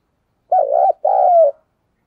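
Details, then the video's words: A spotted dove gives its decoy coo, used to draw in wild doves. Two mellow, hollow notes come in quick succession, the second drawn out and sliding gently lower. No other sound. "Tiếng cu gáy mồi chuẩn để kích bổi hiệu quả nhất"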